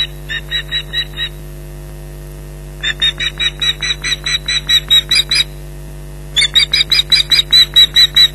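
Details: Ospreys at a nest at Loch Garten, Scotland, on 15 July 2011, calling in alarm at a persistent intruder; three bursts of rapid, shrill, repeated yelps with pauses between, over a steady electrical hum.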